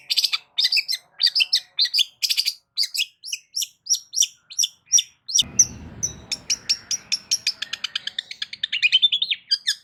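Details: Long-tailed shrike singing loudly, a song for provoking other shrikes to respond: rapid varied chatter of sharp chirps and warbled notes, densely packed, with a low hum entering midway.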